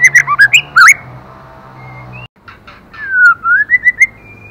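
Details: White-rumped shama female urging the male, delivering bursts of loud, varied, flute-like notes, a sudden break, then a sweeping whistle and another string of rising, repeated notes over a low hum.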